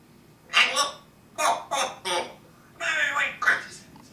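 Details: Pet parrot indoors in a small room, talking: several short speech-like bursts of mimicked words with squawky overtones, spaced about half a second apart, with a person's voice nearby.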